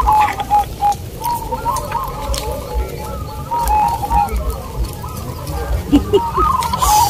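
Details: Zebra doves at a local contest in Sindet, Bantul, Yogyakarta, cooing in short bursts of clipped notes with occasional purer whistled tones, many birds overlapping amid murmuring crowd noise.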